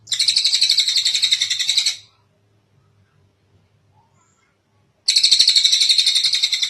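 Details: Long kingfisher call used as a master track for teaching songbirds: a dry, fast-pulsed rattle of about two seconds, then three seconds of near silence, then a second rattle of equal strength.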